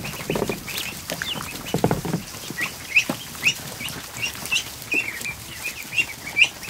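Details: More than 100 freshly hatched ducklings in a barn kiddie pool during an afternoon. Bright, upslurred peeps repeat roughly every half second from several chicks, over splashes and low bumping sounds.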